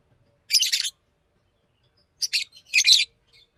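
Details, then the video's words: Green Fischer's lovebird giving a long, buzzy, rasping chirp, a pause, then a pair of scratchy notes and one more drawn-out harsh burst. "Lovebird singing and chirping sounds-Green Fisher"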